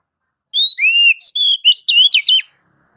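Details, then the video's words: Oriental magpie-robin (kacer) in ngeplong song, meant to draw other kacer into singing. A clear, loud whistled phrase of about two seconds, gliding notes followed by quick repeated slurred whistles, with silence around it. "MASTER DASAR KACER NGEPLONG MEMANCING KACER AGAR CEPAT BUNYI GACOR Birds Song Kacer"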